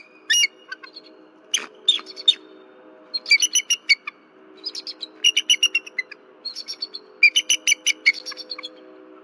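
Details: At a Berry College nest on a February 2023 night, a disturbed female bald eagle keeps calling after something flies near the nest. She gives repeated bursts of sharp, high chattering notes, about six phrases in nine seconds, over a faint steady hum.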